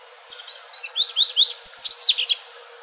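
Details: A double-collared seedeater sings its crystalline wild song, used for training young birds and stimulating singing. Gentle high opening notes lead into quickly repeated upslurred whistles, ending in a bright, tumbling twitter over a quiet background.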